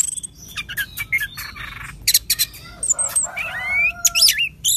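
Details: Loud Orange-headed thrush song used to coax a kept bird into singing; a varied mix of sharp chirps, rasping buzzes and rising and falling whistles, with quieter notes blending in near the end.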